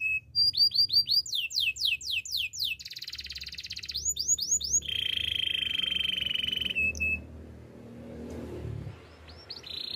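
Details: Canary singing a training song: a short whistle, fast descending sweeps, a buzzy roll, rising whistles and a long level trill. The bird then falls mostly quiet apart from a brief final phrase.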